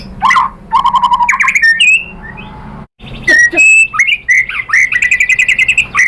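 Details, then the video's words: White-rumped shama singing to provoke other birds into song: a varied run of loud whistled phrases, rising slurs and clipped chirps, broken by a short pause, then steady bright whistles repeated in quick succession. "PANCINGAN MURAI ¦ SHAMA BIRD"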